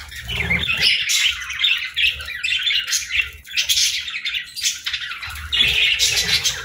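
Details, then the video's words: Morning feeding time for a group of budgerigars: continuous twittering and squawky chirps from many birds, broken by soft low knocks. "Good Morning Birds Chirping | Budgie Feeding Time"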